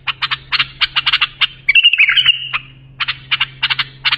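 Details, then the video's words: Song of a bulbul chosen for training young birds: clusters of sharp clicky notes, then a brief warbled, liquid flourish in the middle before the clicky clusters resume, over a low hum. "بلبل للساناته إبداع يفيد للتخريج صغار بلابل"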